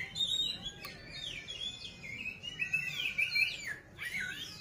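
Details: Kacer, the Oriental magpie-robin, with tail spread, delivering a continuous rambling warble of whistled and twittering phrases against a noisy background.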